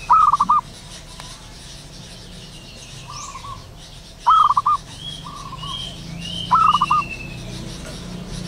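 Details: Local zebra dove calling in the wild in early morning: three lively bursts of quick, clipped coo notes spaced a few seconds apart, softer coos between and thin whistles of other birds behind.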